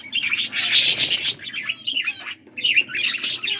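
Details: Blue budgies chirping while feeding one another, August 13, 2024: busy scratchy warble in two loud bursts with a short quieter chirp between, over a faint low hum.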